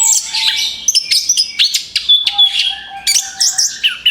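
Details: Lure song of an orange-headed thrush: a quick jumble of bright chirps, sweeping whistles and clicks, over a long, level low whistle through the middle.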